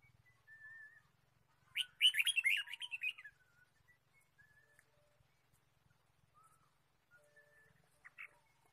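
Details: Red-whiskered bulbul chirping in a forest during bird trapping, 23 March 2017: a loud rapid burst of bright, bubbling, jumbled notes lasting over a second, framed by thin steady whistled tones and a short chirp near the end.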